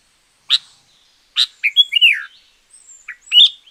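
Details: Short sharp chirps lead into a warbled, sliding phrase from a sooty-headed bulbul, then softer notes. The sound is offered as a lure for wild birds and as a model song for silent ones.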